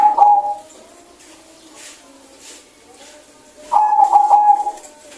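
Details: Local zebra dove singing actively in a clear voice, aimed at prompting lazy birds to call. A short, lower-pitched coo opens the clip, and after a quiet stretch comes a longer phrase of pulsing coos.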